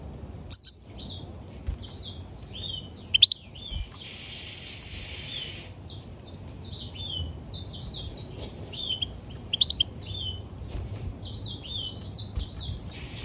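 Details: Song of a European goldfinch: a long run of rapid, tinkling and slurred high notes with occasional sharp clicks and a short hissing burst, steady low background hum.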